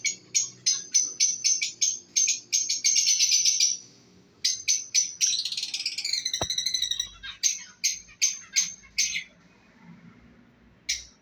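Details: Breeding pair of lovebirds giving loud, harsh, shrill chirps in rapid repeated bursts, a few per second, with a longer scratchy chattering stretch midway, one sharp click, then more spaced shrieks and pauses.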